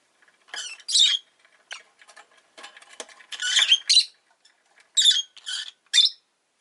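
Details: Shrill, buzzy chirping from a pet rosy-faced lovebird, coming in dense clusters of harsh high notes. Bursts run almost continuously, with a brief lull before the final rapid trio.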